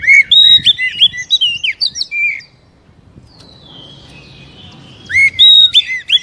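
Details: Oriental magpie-robin song used as a lure to make a captive bird start singing: rapid runs of loud, clear whistles with upslurred and downslurred notes, a quiet gap with faint trills midway, then another bright whistled burst.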